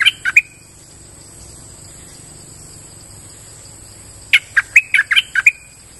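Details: Forest outing for a streak-eared bulbul, whose lively lure song opens with a few sharp notes, falls silent for about four seconds, then returns as a rapid run of six or seven punchy chirps over a faint constant high hum.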